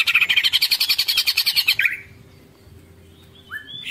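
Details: Greater green leafbird (cucak ijo) delivering 'ngekek panjang' singing: a dense, rapid rattling chatter lasting about two seconds, ending in a downslur, followed by quiet and a pair of rising whistled notes.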